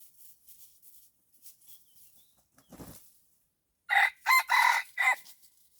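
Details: A red junglefowl decoy set out to attract wild junglefowl gives a loud, hoarse four-part crow near the end, after quiet faint background sounds and a single dull thump.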